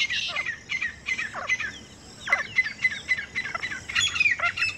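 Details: Grey francolin pair calling in the wild near a village, heard as a string of harsh, squeaky notes with downward slides, uneven and somewhat distant, over a steady low background hiss.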